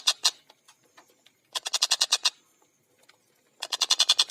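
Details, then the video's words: Rapid rasping bursts from a tengkek buto (collared kingfisher), fast tight style: a short pair of notes, scattered faint clicks, then two runs of about eight harsh notes each with a silent gap between. "Masteran Burung Tengkek Buto Gacor Suara Jernih Speed Rapat"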